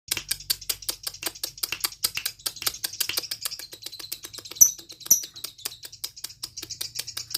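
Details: A lovebird being stimulated to chatter (ngekek) gives a long, rapid run of dry, high clicking notes, two or more each second.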